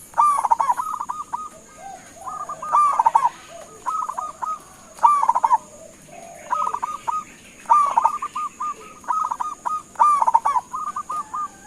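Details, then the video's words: A local zebra dove in full voice, calling to make other birds respond: about nine stuttering phrases, each a rapid rattle of notes trailing into brief level hoots, with faint lower coos between them. "Suara Panggilan Perkutut LOKAL Gacor sekali dengar langsung NYAUTIN"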